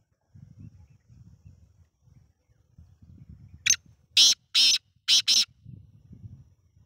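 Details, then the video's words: Black francolin giving its harsh call: a brief scratchy note followed by four loud grating notes in two pairs, over a soft low rumbling background. "Black Francoline Voice/Kala Teater pehli bolai"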